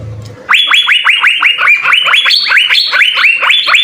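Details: Asian fairy-bluebird in 'gacor full isian' song intended for tutoring: a dense, rhythmic series of loud upslurred whistles, about four each second, starting abruptly after a low hum.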